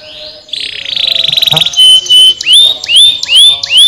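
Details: Canary singing, played to stimulate lazy canaries to sing: a buzzy rolling trill, then a pure steady whistle and a regular series of loud rising whistled notes about twice a second.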